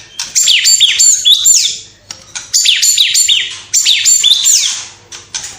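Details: White-rumped shama in full song, with mimicked house sparrow, fighting lovebird, kapas tembak and cililin calls in its repertoire. The same phrase of high, sharply down-slurred whistles comes three times, with a brief pause between each.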